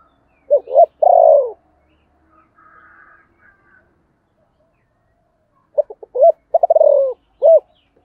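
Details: Spotted dove phrases: an opening double coo and long falling note, faint chirping in between, then a busier phrase of stuttered coos, a drawn-out descending coo and a final short coo.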